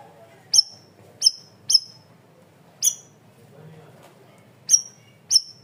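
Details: Loud, clear cream-vented bulbul: crisp high chip notes in quick pairs and triplets with pauses between, each sharply falling in pitch, over faint low background noise.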